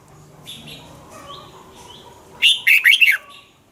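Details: Red-whiskered bulbul from Thailand, singing in a recording meant to rouse caged birds: faint soft notes, then one loud, rolling phrase of four or five fast, slurred, descending whistles.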